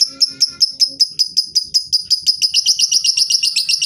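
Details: Lovebird song used as a lure to get lazy birds singing: a long series of shrill, high chips, about five a second at first, speeding into a fast continuous chatter.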